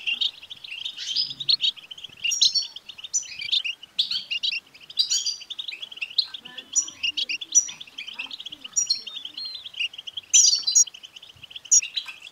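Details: European goldfinch twittering song, played to stir a caged male goldfinch into singing: a dense, unbroken run of rapid liquid chirps and trills, with bright higher buzzy notes bursting out about every second.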